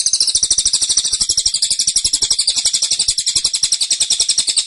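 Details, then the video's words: Continuous tembakan song of a caged velvet-fronted nuthatch, dense and insistent: an unbroken high, rapid chattering trill of crisp repeated pulses lasting nearly five seconds. "Tembakan Cililin Suara Rapat Dan Ngotot"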